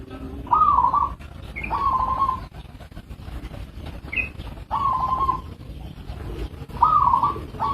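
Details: Local zebra dove calling in spaced trilled coos, about five phrases, with faint short higher notes between some of them.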